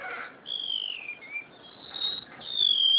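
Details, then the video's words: Caged cucak sintier (crested honeyeater) kept in Java singing: high, thin whistled notes that slide slowly downward, a short lower whistle, then a louder drawn-out whistle falling at the end. "burung engong,remetuk laut,cucak sintier,eng ong,atau srulingan"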